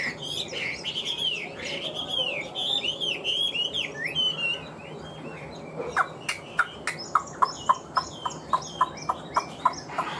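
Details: Caged Chinese hwamei singing while nodding and moving: slurred, looping whistled phrases for about six seconds, then a run of sharp, clipped notes repeated roughly every half second.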